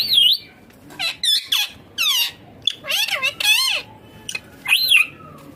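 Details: Green Indian ringneck parakeet mimicking speech indoors, giving quick bursts of high, warbling, word-like syllables and shrill swooping notes, with brief pauses between phrases.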